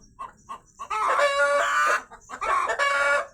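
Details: Rooster shouting continuously after a hen laid two eggs up above: a few soft clucks, then two loud, drawn-out harmonic squawks, each lasting about a second.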